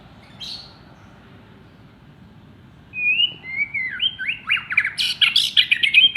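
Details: Contest white-rumped shama that took third place on Thursday the 19th, past its first molt: a faint early note, then a whistled lead-in from three seconds building into rapid, loud, jumbled phrases of sweeps, chips and trills.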